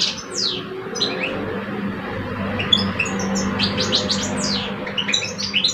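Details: Singing duel between two caged male European goldfinches, an older bird against a two-year-old: scattered, sliding high twitters and chips over a steady low electrical hum.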